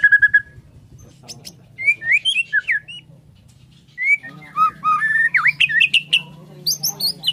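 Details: Bornean white-rumped shama morning song, rich and varied: looping whistles, dips and upslurs, a twisting V-shaped note and very high squeaky phrases at the close.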